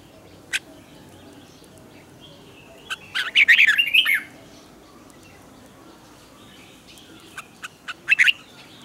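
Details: A red-whiskered bulbul sings at dawn in the tense, twisting double-note style used to coach other bulbuls. An isolated chip, then a dense burst of warbled notes, then a few sharp clicks and chirps.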